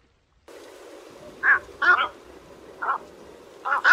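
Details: White egret recording for bird trapping: four short, hoarse croaks spaced irregularly over about three seconds, two of them doubled, against a steady low hum.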